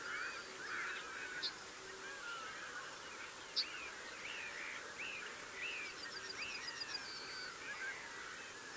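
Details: A mistle thrush sings from a gorse bush, giving short, fluty, slurred phrases in quick succession; a thin, rapid high trill from another small bird joins partway through, with a blue tit and yellowhammer nearby.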